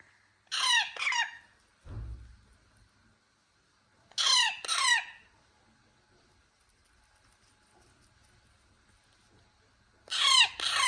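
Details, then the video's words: Young parrot chick screeching in short harsh double bursts, each pair of grating squawks repeated roughly every three to four seconds with silence between, plus a single soft thud. "Parrot Chick Talk Screech, Squawk"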